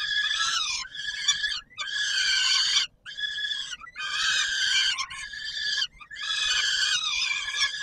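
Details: Peregrine falcons in Warsaw, Poland, on the Palace of Culture and Science, 17 July 2022, calling at feeding time: long grating wails lasting up to a second and a half, with choppy notes between them.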